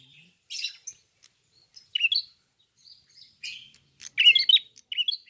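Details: Red-fronted prinia (prenjak kepala merah) gives scattered short bursts of high chirps and scratchy notes, with gaps between, then a louder rapid twitter near the end.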